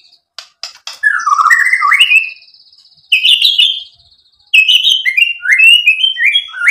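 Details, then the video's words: White-rumped shama in full song, described as 'gacor' and used to provoke other shamas into answering: loud phrases of sweet whistles sliding between low and high notes, mixed with sharp clicks and rapid trilled fragments, in bursts separated by short pauses. "MURAI BATU GACOR MEMANCING EMOSI JADI NYAUT BUNYI BONGKAR MATERI ISIAN | PANCINGAN MURAI"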